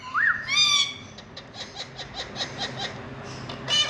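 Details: Parrot in India giving a short rising-falling whistle and a harsh harmonic squawk, followed by a series of soft rapid chattering notes and another squawk at the end.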